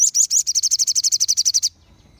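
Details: Crimson sunbirds in chorus, meant to make other sunbirds answer and sing. One loud, high, even trill of about eighteen quick buzzy notes over nearly two seconds, ending abruptly into quiet.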